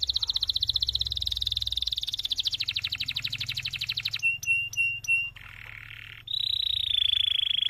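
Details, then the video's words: Canary in long, lively song used to train and prompt other canaries: rapid dense trills, then a few sharp clicking notes, a low buzzy roll and a high sustained trill. "MASTERAN suara BURUNG KENARI GACOR PANJANG || COCOK untuk PANCINGAN KENARI lain !!!"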